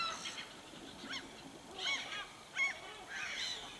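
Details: Wild common raven at a bear-watching hide in Suomussalmi, Finland, recorded during an evening and night stay: a few spaced hoarse, arched calls, some doubled, over a quiet background.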